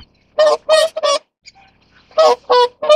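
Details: Whooper swans during mating give loud, brassy trumpeting honks, three in a quick burst, a pause, then three more, each note nasal and ringing.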